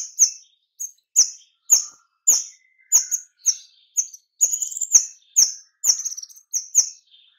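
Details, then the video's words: White-rumped shama giving dense, rapid-fire calls used as a lure to attract other birds: about a dozen sharp, high chirps, each a bright burst dropping slightly in pitch, spaced roughly every half second, with no other sounds. "pancingan kemade nembak suara rapat cocok untuk pikat kemade lain agar lekas gacor!"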